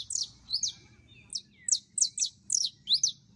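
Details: A female canary in heat calls for a male to mate, giving bright, high, slurred chirps in loose pairs and triplets, about three per second, with a soft steady background hum.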